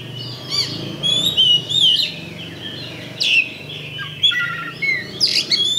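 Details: Champion Oriental magpie-robin (kacer) song, used as a 'pancingan' bait to provoke rivals into fighting: varied high whistled phrases, slurred notes and sharp chips with pauses between bursts, over a faint low hum.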